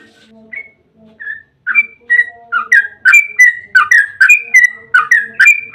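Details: Yellow-vented bulbul song, 'ropel' style, used to lure bulbuls into singing: a few spaced whistled notes open slowly, then build into a quick steady stream of bubbly notes, nearly three per second.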